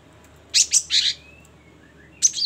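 A great tit gives a quick run of three high, scratchy notes, pauses, then starts another burst; nothing else is heard over a faint background hiss.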